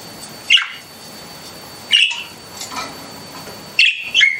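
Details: Indoor pet budgies calling with clear, high chirps, single notes about every one and a half seconds, ending in a quick double chirp.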